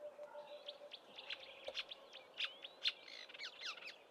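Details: Marsh warbler in Eastern Cape bush in March, prior to flying north, copying southern African birdsong: quieter varied high notes, short slurred whistles and sharp chips strung together, with a soft background hiss and a low steady tone.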